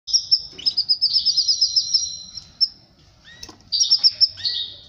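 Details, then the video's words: A canary sings a bright, high rolling trill of rapid repeated notes, pauses briefly, then bursts into another quick trilled phrase with a few clipped chirps; said to mate with its female after hearing this song. "تزاوج طائر الكناري مع أنثاه بعد سماعه هده البتبته"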